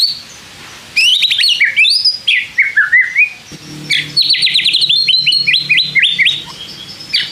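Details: White-rumped shama song for provoking other shamas to reply: varied tumbling whistles and slurred notes, then a long run of quick repeated chipping phrases; a faint low hum runs beneath part of it.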